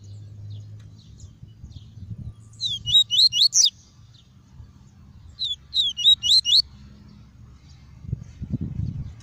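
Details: Two bursts of quick, high, chattering tuí tuí notes from a caged double-collared seedeater, a song used to warm up seedeaters and teach young ones, separated by two seconds of quiet, with low background hum and a thump near the end.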